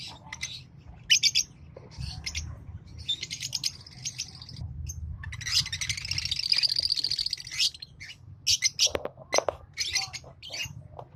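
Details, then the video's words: Green Fischer's lovebird pair singing and chirping, scattered sharp high tweets, then a sustained buzzy twittering chatter lasting a couple of seconds, followed by more clipped squeaky notes and a lower rasp. "Lovebird Singing & Chirping Sounds Green Fischer Pair"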